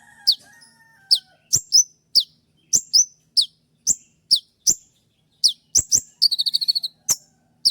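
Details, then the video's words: Sharp shooting song of the konin trotol, used to train other songbirds: bright falling chirps repeated about every half second, then a short rapid buzzy trill before the chirps resume. "Masteran dan Terapi konin trotol dengan suara tembakan yang mudah"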